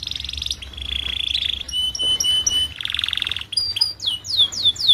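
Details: Young canary song used as a master recording to tutor young caged canaries so they start singing quickly: loud buzzy trills, steady whistled tones, then rapid repeated down-slurred whistles.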